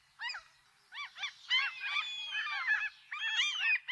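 Several gulls call over one another, with harsh, nasal, down-slurred squawks in quick bursts. Thinner, longer whistled cries run through the middle.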